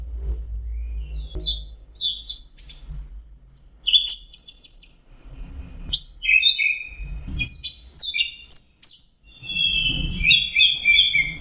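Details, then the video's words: Orange-headed thrush (anis merah), a costly songbird prized for its melodious voice, pouring out a long varied song of quick high whistles, chirps and mimicked-sounding phrases, pitch dropping lower toward the end, over faint low background noise. "Burung anis merah jenis burung kicau mahal dan suaranya merdu"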